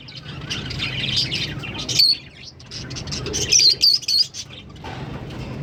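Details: A green pair of Fischer's lovebirds chattering and chirping: a dense stretch of high twittering, then a brief burst of quick shrill whistled chirps, over a constant low hum.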